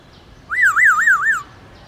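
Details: Black-throated laughingthrush wild-style song, played to stimulate captive birds to sing: one clear whistled phrase of about five smooth undulating loops over about one second, then quiet background.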